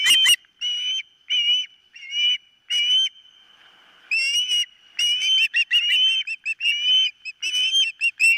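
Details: Osprey calling at its nest on a nest camera, morning of 4 September 2023: a series of clear whistled notes about every half second, a brief pause, then quicker clipped chirps tumbling together, over a thin constant background tone.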